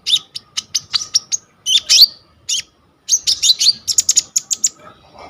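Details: Coconut lorikeet in full song on a vivo Y21 phone recording for training sunbirds: rapid clusters of sharp high chirps and twisting squeals, pausing once before another fast chattering burst.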